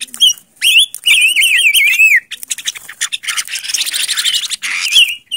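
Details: Silver-eared mesia, called Ngũ Sắc in Vietnamese, presented as a lure bird: clear whistled wavy phrases around the mid-high register, rippling up-and-down notes, followed by a dense buzzy chattering stretch and a final whistled slur.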